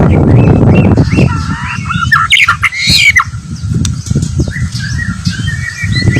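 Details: White-rumped shama, a fighter bird, giving varied whistled and harsh squawking phrases in quick bursts over a steady low rumble of background noise.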